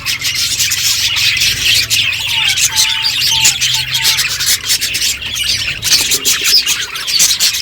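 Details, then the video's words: Eating budgies fill the air with rapid warbled chirps and gritty squawks; a few faint short whistles sound midway, over a low hum. "Beautiful budgies colour eating and chirping sounds"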